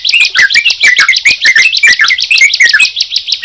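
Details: Sunda pied chat and yellow-vented bulbul singing together: a dense, fast run of bright chirps with short downslurred whistled notes woven between them, steady and busy throughout.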